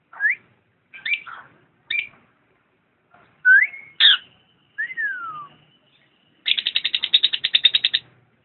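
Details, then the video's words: Lovebird chirping song: scattered squeaky upswept chirps and a falling whistled note, ending in a fast rasping burst of about fifteen buzzy pulses, with quiet gaps between phrases. "kicau burung Lovebird"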